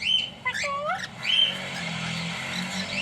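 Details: Pair of pet cockatiels calling; clear high whistles, some held level and others sliding down and up, mixed with brief chattering squawks, loud and close.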